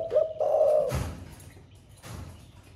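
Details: Spotted dove with a thổ pha style voice, said to coo all day: a low, hollow cooing note held steady, then a soft thump and quiet room noise.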